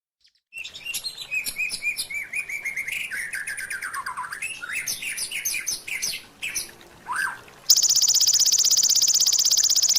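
A white-rumped shama sings a rich, fast run of varied whistles, trills and slurred notes. The song then gives way to a loud, steady high-pitched buzz.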